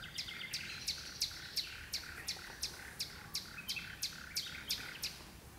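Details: Common nightingale singing at dusk from deep inside birch bushes, with two birds singing: a steady series of sharp, high chipping notes repeated about three times per second, ringing with a rasping edge, faint rural background hiss.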